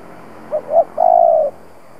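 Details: Spotted dove kept as an experienced lure bird to stimulate doves to coo. A single low phrase: two brief soft notes, a short gap, then one long even coo that sags gently at the end, against quiet surroundings.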